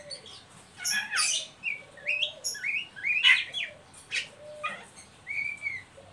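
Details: Ngeriwik calls of an Oriental magpie-robin, meant to stimulate young birds into singing: bright upslurred whistles mixed with scratchy high bursts, delivered in quick separate phrases, with a low faint whistle underneath.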